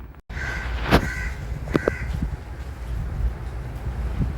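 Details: Crows calling: two short, harsh caws close together early on, then quiet, all over a steady low rumble of background noise.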